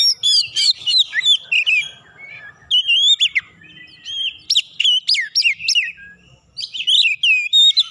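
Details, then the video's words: Roused by a rival, a White-rumped shama delivers loud, varied song bursts of sharp upslurred whistles, chips and warbled phrases, separated by brief quiet gaps. "KACER LAWAN LANGSUNG PANAS NAIK EMOSI BONGKAR ISIAN SEKALI PANCING"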